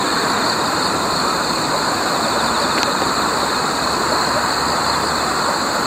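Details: Loud, unbroken hiss and hum of traffic or wind with steady high tones, and no animal calls.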